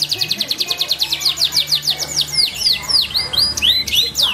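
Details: Canary song from an F2 kenari: steady series of fast rising notes repeated rhythmically, shifting midway to looping downward and upward sweeps, bright and high, low steady hum behind.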